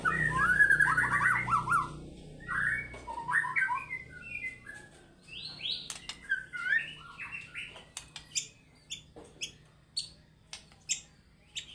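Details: White-rumped shama singing in fighter style, unloading its repertoire: warbling phrases at first, then sparse scattered whistles and a run of dry clicking ticks.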